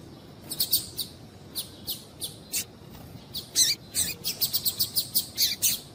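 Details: Brief, high, thin chirps from a female double-collared seedeater, single or in quick pairs, sparse at first then nearly twice a second, over faint hiss; female calls used to stimulate a male to sing.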